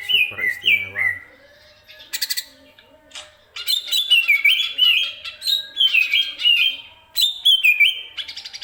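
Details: Greater green leafbird song for training other birds: a few downslurred whistles, a pause with faint clicks, then rich rapid phrases of bubbling whistles and chatter in repeated bursts.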